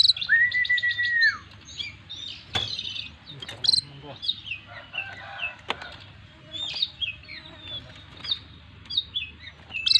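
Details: Owned Oriental magpie-robin singing in 'full isian' style: opens with a long steady whistle, then a stream of short chirps, twitters and clicks, with a few sharp knocks and soft background hum.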